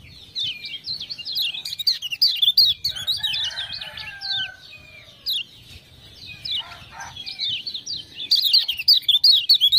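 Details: Lombok lemon-bellied white-eye, a strong-singing tutor bird set off by ciak-ciak prompting, delivers fast zigzagging high chirps in long runs, broken midway by a lower warbled stretch, with sharp crackling ticks at start and end.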